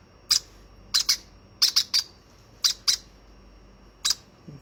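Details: Young hand-fed conure making short, shrill squawks, mostly in pairs, spaced about a second apart, with quiet room background.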